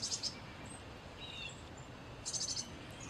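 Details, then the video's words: Short bursts of high, buzzy chickadee-type notes at the start and again near the end, with faint thin chips between and a steady hiss of background noise. "Chickadee call / song / sounds"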